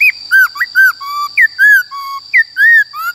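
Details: White-cheeked laughingthrush giving forest-style song for training the voices of wild-caught and young birds. Clear whistled phrases mix downslurs, arched notes and low flat whistles, roughly one per second, with a steady high tone behind.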